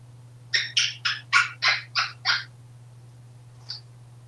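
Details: Male African Grey Parrot, hatched in 1997 and kept indoors in a home in Texas, happy and very talkative, gives seven quick harmonic squawky calls in a burst, then one short high note, over a steady low fan hum.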